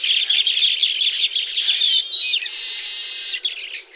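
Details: Baya weaver near its engineered hanging nest, tropical habitat: sharp chirps and twitters, then a sustained sizzling buzz that holds steady for about a second before breaking off.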